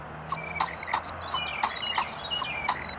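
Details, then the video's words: Common starling mating call recorded up close, the bird so near it pecked the camera lens: a busy medley of sharp clicks and thin, level whistles, several clicks a second, over a faint low hum. "Starling Mating Call up close"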